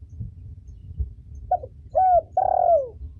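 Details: Spotted dove hen cooing, a call used to train young cage birds: after a quiet start, a brief coo, then a falling coo and a long sliding coo that drops at the end, another coo beginning as it closes.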